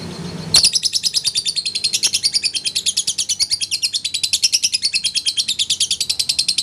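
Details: Lovebird singing a long 'ngekek panjang' chatter, after a long time without being hung out: a fast, steady run of sharp high chirps, about three per second, continuing for six seconds after a brief low hum at the start.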